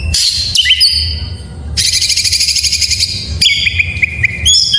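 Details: Oriental magpie-robin delivering full isian song to encourage others to sing: high slurred whistles, then a long fast buzzing chatter, followed by a run of repeated short whistled notes, loud against a quiet hum.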